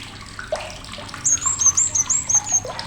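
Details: Blue-crowned hanging parrot giving sharp, high calls for tutoring songbirds: a string of thin, whistled notes that slide slightly, about six in a second and a half, over a wash of gurgling, water-like background sound.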